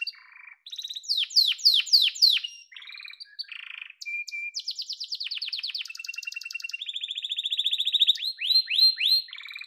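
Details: Yellow canary singing loud downslurred notes repeated about every half second, then a clear whistle, a rapid rattle and long even rolling trills rising in volume.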